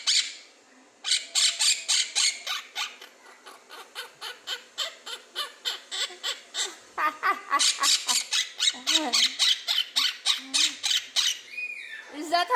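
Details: Pet quaker parrot at home, raised from a few months old, laughing on request: long runs of rapid, bright, chattering ha-ha bursts, several each second, broken by brief squeaky upslurred notes, with a woman's voice coaxing between.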